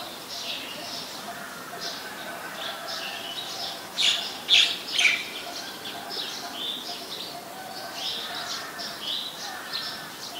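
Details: Ashy woodswallow, a very common resident, recorded in Ubon Ratchathani, Thailand, on 14 December 2019: a scattered chorus of short, harsh, high chirps, irregularly repeated around two per second, with two louder sharp notes near the middle.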